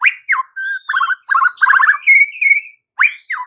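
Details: White-rumped shama song used as an afternoon lure for speckled juveniles and young birds to make them answer and sing: rich whistled phrases around mid pitch, fast trilled bursts and upslurred notes, several phrases in quick succession.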